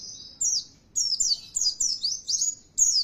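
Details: Oriental white-eye lure song used to provoke kept birds into loud, persistent singing: rapid high-pitched twittering phrases repeated about every half second, each a quick descending slur, with no other sounds.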